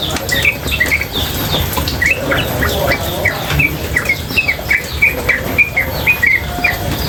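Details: Female sooty-headed bulbul singing with water in the background: rapid bright chirps in tight repeated runs, chattering without pause, over constant flowing water.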